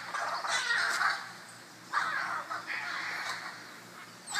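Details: Fourteen Scarlet macaws fuss over a prime perch in a backyard near Tarcoles, Costa Rica, trading loud, raspy, harsh squawks in overlapping bursts of about a second with brief pauses.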